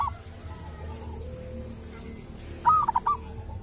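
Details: Local zebra dove from the wild at a sacred tomb, said to have a distinctive voice: after quiet low background hum, one short cooing phrase near the end, a rising-falling note followed by three quick stuttered coos.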